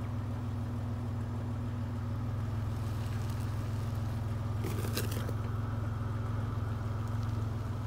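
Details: Steady low engine rumble and hum dominate throughout, with a brief crackling rustle near the middle and no animal voice.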